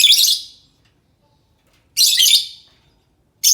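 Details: Two drawn-out, rasping shrieks of about half a second each from a lovebird, with a third just starting at the end. The call is used as a lure to get other lovebirds to reply.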